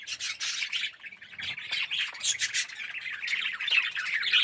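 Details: Many budgerigars, yellow with red eyes, chattering nonstop in an aviary colony: busy overlapping warbles, squeaks and harsh squawks at a steady loud level.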